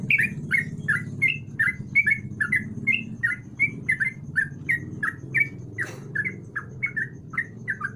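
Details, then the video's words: Active sooty-headed bulbul song meant to prompt a silent bird to sing: a fast string of short, chirpy, slurred notes over a constant low droning hum. "Burung trucuk gacor Buat pancingan trucuk malas bunyi"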